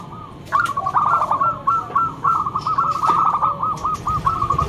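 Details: Local zebra dove in full song with a loud voice, used as a lure bird: a long run of soft cooing notes, steady in pitch and quickly repeated, over low background rumble and faint outdoor noise.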